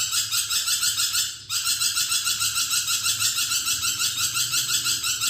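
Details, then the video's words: Actively singing budgerigar, used as a tutor recording for magpie robins: continuous rasping, buzzy chatter pulsing roughly three times per second, with one brief break near the middle. "BURUNG NURI PERKICI GACOR"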